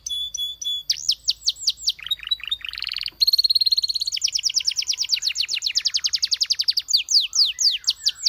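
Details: Singing canary delivering varied phrases: short looping whistles, a harsh descending run, then a long rapid series of repeated sweeping notes that gradually slows, ending with quick upward slurs.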